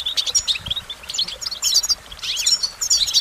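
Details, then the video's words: Goldfinch singing in short bursts of high, liquid twitters and clipped chirps, with small gaps between the phrases. "Goldfinch Motivation Performance"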